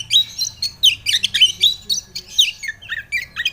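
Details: Lure recording of Oriental magpie-robin song meant to prompt a reluctant bird to sing: rapid, varied high chirps, squeaks and short whistles, tumbling together with little pause, ending in lower slurred notes.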